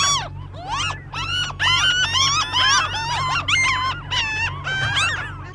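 Franklin's Gull giving a rapid series of high, nasal, laughing calls, many overlapping, higher pitched than a Laughing Gull's; a low hum runs underneath.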